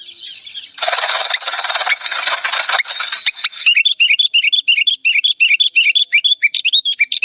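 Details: Agitated song of an old sooty-headed bulbul, loud and clear. A harsh noisy burst opens, then a rapid, steady series of short, bubbly, repeated chirps follows for several seconds.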